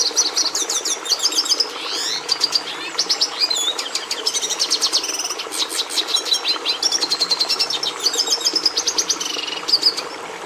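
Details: Red siskin, species Carduelis cucullata, singing a continuous twittering song of rapid high trills, buzzy rattles and quick rising and falling whistled notes, dense and varied throughout.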